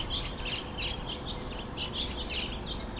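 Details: White-cheeked starlings seen in the Minato Mirai district of Yokohama, Japan, on 15 April 2014, giving harsh, squawky, noisy calls in repeated bursts about every half second over steady low background hum.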